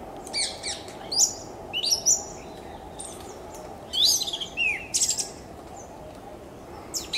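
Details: An orange-headed thrush sings loud, rich, varied phrases of sweet whistles and scratchy notes, each a second or so long, in short bursts over steady low hiss.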